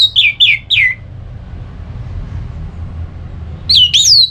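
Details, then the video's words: Orange-headed thrush ngeplong song meant to spur a sluggish bird to answer: three quick, clear downslurred whistles, a long quiet gap with low rumble, then a rising-and-falling looping whistle phrase. "ANIS MERAH LOYO Bakal SONTAK NYAUT GACOR dan EMOSI dengar Kicauan Ngeplong ini"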